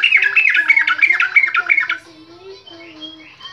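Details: A sooty-headed bulbul, in a lure recording meant to get beginner birds singing, gives a quick burst of bright, bubbling chirps, about three notes a second, fading into softer warbling notes.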